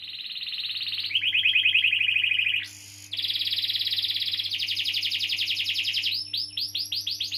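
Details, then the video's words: Canary with extended rolling song intended to stimulate young or silent canaries; fast trills switch between pitch levels, pause briefly near three seconds, then close with rising separated notes, a steady electrical hum beneath. "Kenari Gacor Ngeroll panjang || Pancingan Kenari paud atau macet bunyi"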